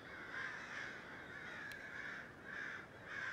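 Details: Crows squawking in an oak tree outside a house on 11 December 2017, after a loud racket had mostly died down: overlapping harsh, raspy calls from several birds, swelling and fading, over steady background noise.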